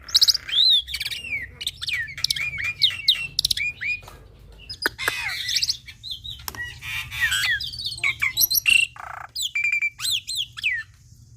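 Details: Full-fill training song from a young black-winged myna: a rapid, varied stream of whistled slurs, clicks and harsh squawky bursts, shifting pitch constantly over a faint low hum.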